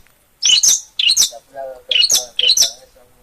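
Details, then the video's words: Long-tailed shrike from Gunungkidul, Yogyakarta, singing in lively gacor style: four loud, harsh, chattering bursts of high notes roughly every half second, with faint lower tones between phrases. "Suara Burung Pentet Gacorrr"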